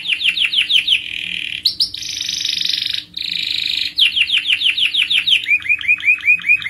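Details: Singing canary giving a long rolling song meant to prompt other canaries: rapid falling sweeps, a dense buzzy trill held for two seconds, then more repeated slurred notes ending in short rising whistles.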